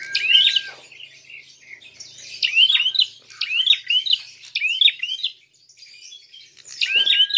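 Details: Prinia's fighting call to provoke other birds: repeated sharp high zigzag chirp phrases, a pause near the end, and two flat lower whistles at start and finish.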